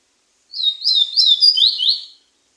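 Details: Slate-colored seedeater sings a brief, high, sweet warbling phrase lasting under two seconds, a chain of quick slurred notes rising and dipping, in otherwise silent surroundings.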